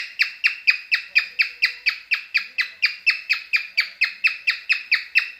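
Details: Singing cockatiel in mating mood, delivering a rapid, evenly paced series of around twenty clipped, buzzy chirps, about four each second, with no other sounds.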